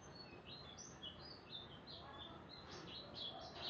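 A canary sings a quick, continuous run of high chirps and trilled phrases over a soft background hiss.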